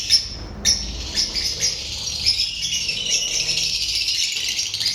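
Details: Lovebirds chattering without pause: dense, shrill, high-pitched twittering and squeaks that overlap into a steady buzzing mass, with a few sharper louder chirps.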